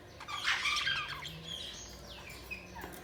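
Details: Budgerigar chirping: a loud harsh, noisy burst of chatter at the start, then fainter sliding chirps and whistles over a low hum.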